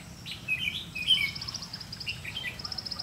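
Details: Red-whiskered bulbul used as a decoy during trapping, singing in the challenging ché style against rivals; quick bright warbled phrases of whistled notes over a steady high insect buzz and low rural hum.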